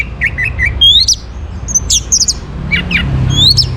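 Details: Orange-headed thrush song, played in the morning as a lure to make birds sing: quick, varied phrases of sweet whistles and sharp high notes, some rising, some trilled, over a low background hum.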